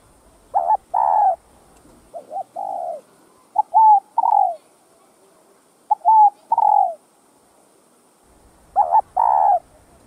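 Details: Spotted dove in a full calling and courtship coo routine played to stimulate caged birds: loud doubled throaty coos open and close the clip, with hooked three-note phrases between them, in a quiet setting.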